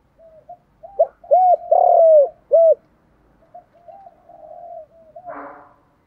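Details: Lure spotted dove calling to draw other doves in, 'thổ'-style voice: a run of arched coos with a long rough central note, followed by softer trailing coos and a brief noisy burst near the end.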